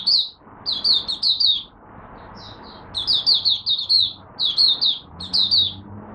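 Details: Malaysian oriental white-eye during its first warm-up of the day, producing groups of three to four high, sweet chirps with brief pauses between groups and a faint low hum behind.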